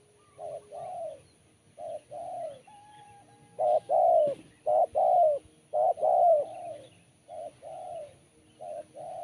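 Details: Repeated cooing of a spotted dove with a crisp, sharp voice, short hoots grouped into rhythmic phrases with louder emphatic coos in the middle, with a faint steady whistle in the background.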